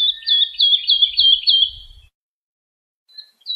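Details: Lark song played for young birds to learn: a loud phrase of five or six swooping whistled notes over a faint low rumble, then about a second of silence and a brief note at the end.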